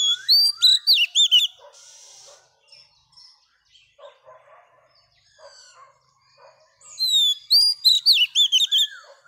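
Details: Singing female Oriental magpie-robin, wild-caught, used to stimulate males; two bursts of high, twisting whistles and chattery notes at the start and end frame a mostly quiet middle with faint, scattered sounds.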